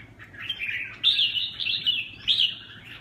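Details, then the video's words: Red-whiskered bulbul singing in the Huế xoè style: a series of bright, warbled, slightly slurred phrases, with loud bursts about every second and quieter chatter between them, over a faint low hum. "Huế xoè -Kênh về chim Chào mào"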